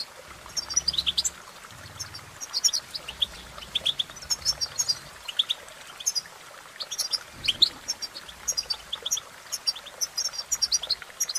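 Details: Goldfinch song: a continuous, rapid twittering of short high chirps and liquid trills, with bursts packed closely together and brief pauses, over a faint low hum.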